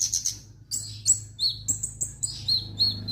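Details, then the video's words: Kemade, the orange-headed thrush, singing energetically: bright, high whistled phrases and sharp chirps, several downslurred notes repeated about every third of a second, with a steady low background hum. "burung kemade gacor dorr"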